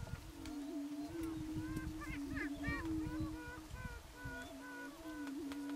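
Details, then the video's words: Greater prairie chickens booming on a lek in the Nebraska Sandhills in April 2018, two males sparring while awaiting females: overlapping low, hollow, moaning hoots form a steady drone, broken by sharp cackles and whoops. "Prairie Chickens Dancing and Booming on the Lek"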